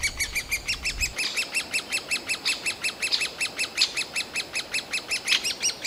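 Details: Great spotted woodpecker nestlings, nearly ready to fledge, in a nest cavity in a forest park in Yekaterinburg on 28 June 2018, keep up a fast, high, rasping begging chatter, about four calls a second, with a brief low rumble at the start, urging the parents to bring food.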